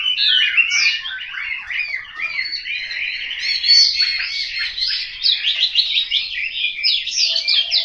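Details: Caged Chinese hwamei at a house in Hanoi, Vietnam, giving a lively song of slurred whistles, then rapid repeated zigzag notes in quick trills near the end.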